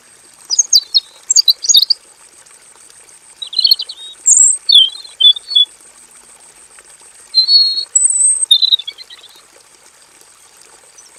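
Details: Caged male robin in a simple aviary, singing long, full-repertoire song. Clusters of quick buzzy warbles and bright whistles come in three main bursts separated by short silences. A steady thin high whine is audible underneath.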